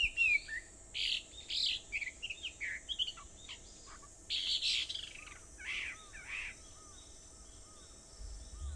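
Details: Birds on Aobayama in Sendai at 4:30 am, 21 July 2014: a scattering of short harsh chirps and buzzy bursts, fading to quieter distant calls, with a steady high hiss throughout.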